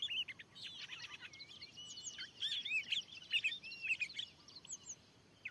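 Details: Wild white-rumped shama answering a lure in newly cleared land, giving a fast jumble of chattering chips and short whistled slurs, rather moderate in volume, with steady background hiss.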